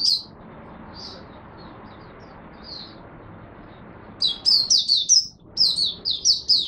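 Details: Oriental white-eye kept as a hobby bird in Singapore, opening song recorded on an overcast, rainy, humid day, 23 March 2023: scattered faint high chirps, then after four seconds a rapid run of bright, downward-slurred twittering notes.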